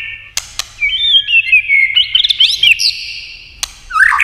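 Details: White-rumped shama in competition singing, roused to sing with many voices: sharp clicks, then a long sweet whistled phrase sliding and warbling at mid-high pitch, ending in a lower twisting note after another click.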